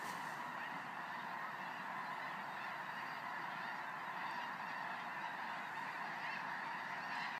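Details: At night, thousands of geese fly overhead, their massed honks merging into a thick, constant clamour without pauses. A faint higher hiss shows at the very beginning.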